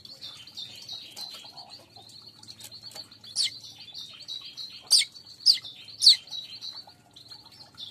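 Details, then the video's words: Weaver song used as a lure to attract weaver birds; a steady, high, buzzy chatter with sharp, louder chip notes breaking through about every half second to a second. "Pancing burung Manyar"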